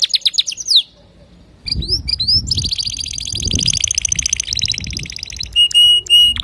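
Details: Male canary, sung to train young canaries, opens with fast descending notes, pauses, then delivers a long loud rattling roll followed by evenly spaced pure whistled notes.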